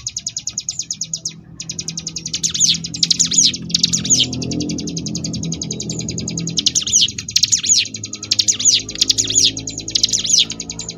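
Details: Sunda bush warbler (ciblek gunung) in the ngebrem variation style, used as a tutor recording for competition birds: a fast, even buzzing trill of high ticks, broken by loud swooping whistled notes, over a low background rumble.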